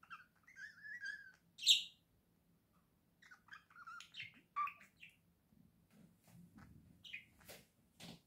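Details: A budgerigar chatters in quick, scratchy warbles broken by bright chirps and clicks, a sound likened to laughter.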